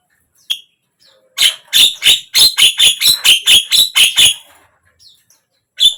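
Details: Javan myna song for coaxing a mute bird to sing: a single sharp note, then a regular run of about eleven loud, harsh, rasping notes over three seconds, then quiet.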